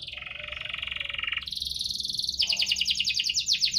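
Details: Canary in full 'gacor' song with chirps and rolls, used to prompt canaries slow to sing: a fast buzzy pulsed trill, then a jump to a higher, harder rattling roll, each held over a second.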